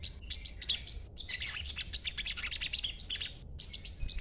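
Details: Chattering young sogon, green-phase juvenile, whose call is meant to draw replies from other sogon; quick bursts of sharp high chips run together into busy twittering, broken by two brief silences.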